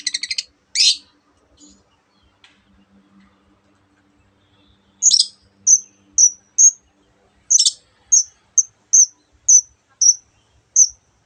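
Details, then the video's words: Long-tailed shrike giving two harsh scratchy bursts, a long quiet gap, then a series of short, high, pure whistles, roughly two a second, interrupted once by another rasping note. "cendet gacor masteran untuk burung yang susah bunyi banyak varian suara burung lainya"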